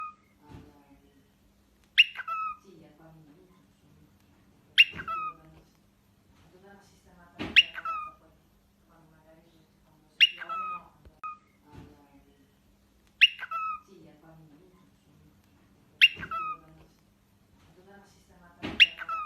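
A cockatiel whistles a learned tune in bright, sharp phrases repeated every few seconds.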